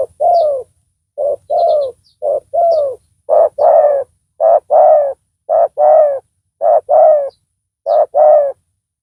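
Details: Spotted dove used as a decoy to lure a rival, noted for its loud voice. It gives deep two-part coos, each swooping downward, repeated roughly once a second. Faint high chirps of small birds are heard in the background.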